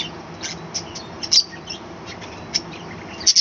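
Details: Morning calls from a small captive budgerigar colony on a balcony, with brief squeaky chirps and clipped notes at uneven intervals, the loudest pair near the end, over faint background hiss.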